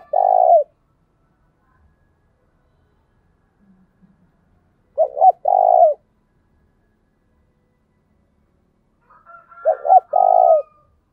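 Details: Spotted dove delivering an intense thúc bổi call: hollow, throbbing low coo phrases, each of two short notes and one long note, repeated about every five seconds, with a faint rooster crowing near the end.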